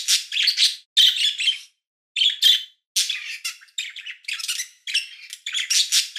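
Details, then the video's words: High, buzzy chickadee chirps come in tight clusters of several rough notes, separated by short silences, each burst energetic and raspy. "Hear the Most Relaxing Chickadee Chirp You'll Ever Hear!"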